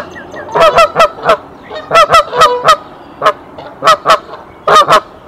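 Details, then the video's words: Nesting mother goose at Decorah calls in alarm on 27 March 2023, drawing the male to the nest. Honks come in uneven bursts of two to four, separated by short silences. "Mother Goose sounds the alarm"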